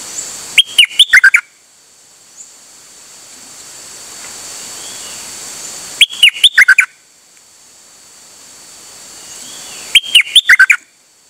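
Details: Pied fantail singing repeatedly on 8 September 2023, delivering three matching phrases about four to five seconds apart, each a fast run of six squeaky notes dropping and rising in pitch, over light hiss.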